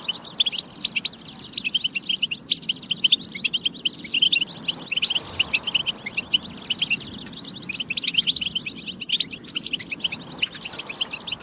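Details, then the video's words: European goldfinch song in a batba recording meant to stir goldfinches into singing; dense, continuous high twittering with rapid chirps and trills packed closely together, possibly several birds overlapping, over a faint low hum. "بتبة فتاكة لتحفيز الحسون على التغريد والجهوزية"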